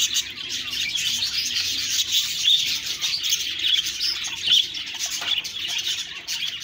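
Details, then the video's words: Budgie chirping: continuous shrill chatter with a few clearer whistled tweets standing out near the middle and end. "Budgies Birds talking sound Birds chirping sounds"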